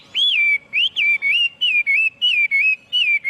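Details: Clear, pure whistled phrases from a Chinese hwamei, each rising then gliding down, repeated roughly twice a second in a steady, ringing series with no background noise.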